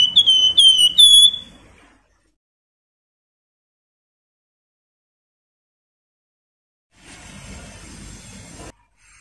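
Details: A Javan fulvetta, kept as a song tutor or lure for competition songbirds, gives one brief, rapid run of high, clear whistled notes, then falls silent; a burst of rustling noise comes near the end.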